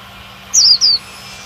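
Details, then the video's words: Female Oriental white-eye calling to excite a male into singing: two quick, very high, thin descending notes close together, over a faint low electrical hum. "Chúa khuyên mái - khuyên mái kích trống siêu líu"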